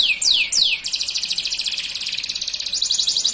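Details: Male canary of dark plumage opening with three clear downward-sweeping whistles, then switching to a fast, steady high trill of evenly repeated notes that continues to the end.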